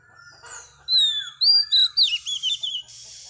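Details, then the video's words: Female Oriental magpie-robin singing to stimulate males: after a faint start, a string of clear, high whistled notes, some slurred downward, others rising, then a sweeping warbled phrase ending in a soft hiss. "Choè than mái bổi lên giọng hót kích trống cực chất"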